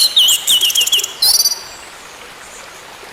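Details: Orange-headed thrush, song used to coax a silent bird back into song; a quick series of warbled wavering whistles, then a short buzzy burst, followed by hiss only.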